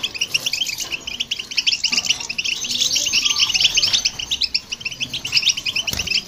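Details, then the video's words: European goldfinch with a hybrid, played to excite other birds: a continuous rush of sharp, tinkling twitter notes with short buzzy phrases, ending in a brief click-like sound. "Goldfinch And The Hybrid To Hear And irritate The Birds"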